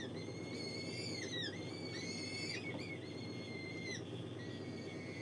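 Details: Gyrfalcon hybrid at a falcon breeding facility gives drawn-out, harmonic, slightly wavering whining calls, several in a row with brief gaps, over a steady low hum and background noise.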